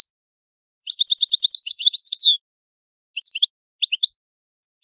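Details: Italian European goldfinch singing the 'vecchio canto', the old song: a rapid, evenly repeated metallic trill that breaks into tumbling chirps, followed by a few sparse paired tweets after a silence.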